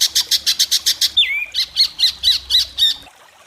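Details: White-rumped shama in an Indonesian singing competition, its sharp song judged by a panel: a fast run of about ten clipped, evenly spaced high notes, then a long falling whistle, then a series of ringing, looping phrases.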